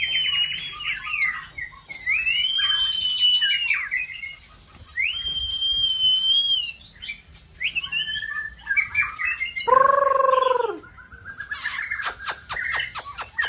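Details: White-rumped shama kept for song contests sings in peak season to provoke another bird. Sustained level whistles alternate with twittering slurs. Partway through comes a loud, lower, harsh drawn note, then rapid clicking chatter.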